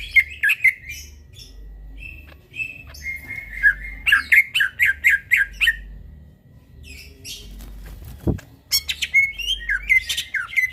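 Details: Greater green leafbird singing vigorously in the middle of the night: bursts of quick chirped and whistled notes near the same pitch, rapid trilled runs, brief pauses, and one sharp click partway through.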